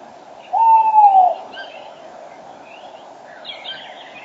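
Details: Spring dawn, 06:34 on 5 March 2013: a male tawny owl near the microphone gives a single smooth hoot that falls slightly, then songbirds keep chirping and twittering in the background.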